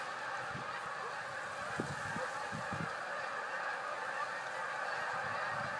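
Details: Canada geese in fall in Northern Illinois, giving scattered low honks at irregular intervals against a steady broadband hiss.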